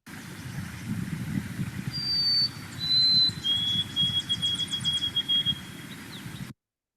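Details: White-throated Sparrow, an early spring migrant in Kentucky, sings its clear 'poor Sam Peabody' or 'oh sweet Canada' song: pure whistles that step down in pitch and end in a long, held note, over a low steady rumble.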